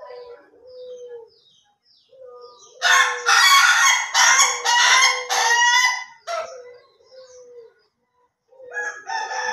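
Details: Ayam Ketawa chicken, the Indonesian laughing chicken, crowing in the slow or durasi style: soft low notes, then a loud run of four or five harsh, rapidly stuttered laughing bursts, then quieter trailing notes.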